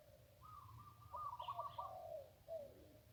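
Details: Fairly quiet song of a wild zebra dove along the Ping River: a long stretch of rolling, bubbling coos with brighter trilled notes in the middle and a final falling phrase, over faint low hum.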